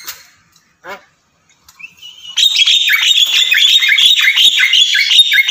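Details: Javan myna (Acridotheres javanicus), song.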